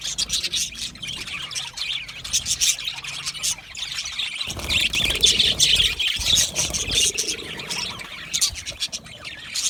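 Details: Budgies chattering together in a busy flock, high chirps, squeaks and warbling notes overlapping constantly, loudness swelling and dipping, with a low rumble of background noise in the middle section.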